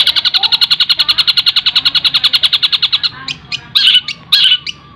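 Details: Cendet song with mimicry fills, meant for tutoring caged birds: three seconds of rapid regular chip notes, then a pause and several harsh, buzzy squawks.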